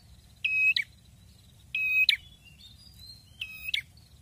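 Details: Prenjak kepala merah (red-headed prinia) in active song. It gives three strident, buzzy, level notes, each ending in an abrupt rising click, spaced about one and a third seconds apart. Faint high whistling follows between phrases, with low background hum.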